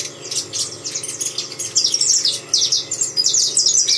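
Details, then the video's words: Quick, high, tinny chirps from a saffron finch, delivered in rapid, crowded bursts that grow louder partway through and continue as a busy, overlapping chatter. "canário da terra cantando"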